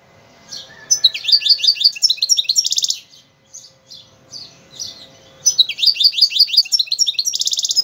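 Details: Algerian goldfinch song in two bursts of quick, high twittering phrases with buzzy trills, separated by a few scattered softer notes.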